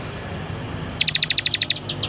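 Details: Bar-winged prinia on a master track for teaching other birds: after a second of low hum, a quick series of about ten bright, high chips, evenly spaced, fading at the end.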